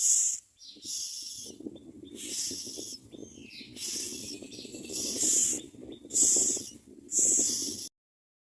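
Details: Nestling common mynas begging from their mother at the nest, giving rasping, hissy screams about once a second over a steady low rumble of background noise.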